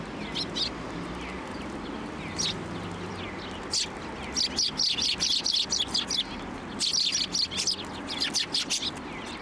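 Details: Sparrows hopping onto a hand to be fed at a Tenmangu shrine on 1 January 2024; scattered high chirps at first, then a dense run of quick overlapping chirps in the middle and again near the end.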